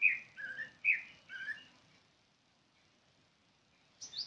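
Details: Paired chirps from a bird, a bright higher note dropping to a lower one, repeated three times in quick succession, then silence and a brief high squeak at the end.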